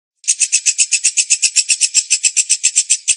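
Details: Lovebird song: a fast, steady, buzzy rattling trill of harsh pulses, about four per second, held without a break from start to finish.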